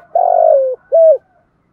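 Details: Spotted dove cooing to rouse another bird: a long, slightly wavering low coo followed after a brief pause by a shorter, clipped coo, clear and close.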